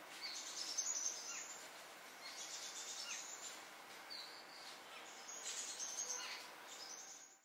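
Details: Black-rumped flameback (Dinopium b. benghalense) at Dhikuli, India, in November 2023, calling with harsh, high, rattling chatters in three bursts a couple of seconds apart, over a hiss of background noise.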